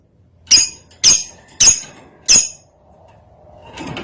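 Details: Lovebird in breeding condition, used as a master song to train other lovebirds: four sharp shrill squeaks about half a second apart, then a quiet low rustle.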